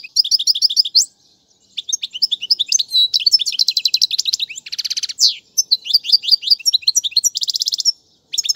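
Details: Goldfinch song meant for teaching chicks, in named styles like serfati and tiwawati galoubi. Long run of sharp tinkling notes, rattling trills and a harsh buzzy burst, with a brief silence early on.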